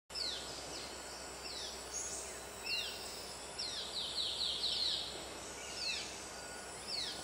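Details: Juvenile Yellow-bellied Bulbul still begging for food, Congkak Forest Park, Selangor, 7 October 2010, during or just after breeding season: thin, high, downslurred squeaks about once a second, with a quick run midway, over background hiss.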